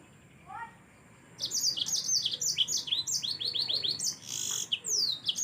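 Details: Yellow-fronted canary singing in a gacor, fast chattering style used as a training song for other birds: rapid high twittering phrases, trills and downslurred whistles after a second of near silence with a few faint low chirps.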